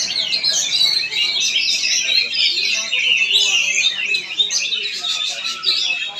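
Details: Oriental magpie-robin from Palangkaraya, Central Kalimantan, giving an energetic, varied song of sharp chips, rapid warbled trills and downslurred whistles in a steady flow, with other birds singing alongside.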